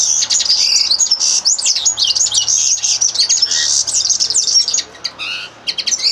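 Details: Linnet song of rapid chattering notes and upward-sweeping whistles, loud and unbroken for most of the passage, then a few sparse twitters near the end.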